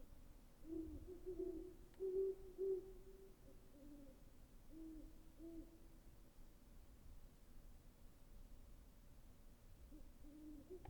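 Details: A great horned owl hoots loudly in a tight group around two seconds, then softer, lower hoots trail off across the remaining time over a low hum.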